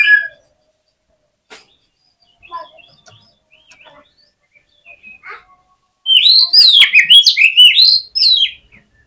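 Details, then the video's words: Oriental magpie-robin fighting song used to provoke rivals: faint scattered chirps at first, then from six seconds a loud burst of quick, varied whistled and scratchy notes. "KACER GACOR FULL FIGHTER !!! COCOK UNTUK PEMBANGKIT EMOSI KACER LAWAN AGAR NGOTOT"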